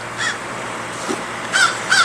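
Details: Three harsh, hoarse caws from crows gathered outside, spaced about half a second to a second apart, over a low background hum with an air conditioner running.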